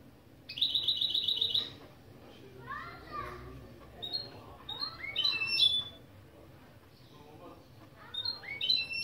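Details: Goldfinch × canary mule intro phrases from a song-training lesson. One fast high trill opens, followed by a series of rising, slurred whistled notes in loose groups with short gaps.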